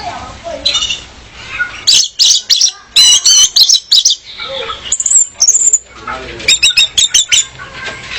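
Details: Song of a female orange-headed thrush, meant to attract a male and serve as training song; choppy bursts of loud, high, scratchy notes in quick series, with a brief rising squeal midway and soft low noise between phrases.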